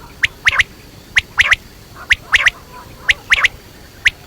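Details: Quail, batair, calling: sharp clicky triple notes in short bursts, a single note then a quick two- or three-note cluster, repeated roughly every second, mid-high pitched and dry.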